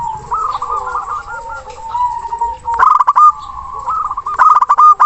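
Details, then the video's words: A local zebra dove sings to challenge a rival, used as a lure for birds that will not sing. Long, wavering purring coos lead into two bursts of sharp clipped notes, then further rolling coos. "Perkutut Lokal Gacor Suara besar Nafas Tua memanggil Lawan"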